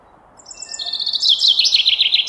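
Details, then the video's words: A common chaffinch sings a bright, quick trill that tumbles downward in pitch and closes with a short flourish, against a quiet background. "Common chaffinch song"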